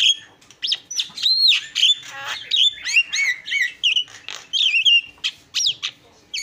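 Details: Javan myna in isian style, a continuous jumble of bright whistles, rising and falling slurs and scratchy chirps run tightly together throughout.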